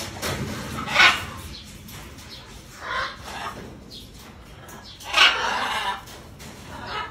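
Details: A pair of blue-throated (Caninde or Wagler's) macaws while foraging, giving harsh, raspy squawks: three bursts a couple of seconds apart, the last one drawn out, over a low steady background hiss.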